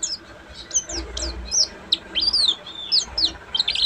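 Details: Ngeriwik song from a buxtomi Oriental white-eye: a busy run of very high, swooping chirps and twitters delivered almost without pause, with faint low rumble beneath.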